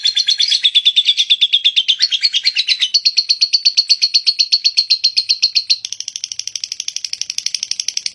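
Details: Lovebird singing a long ngekek trill: rapid, evenly pulsed chattering notes repeated several times a second without pause, shifting pitch higher midway and softening toward the end, with no other sounds.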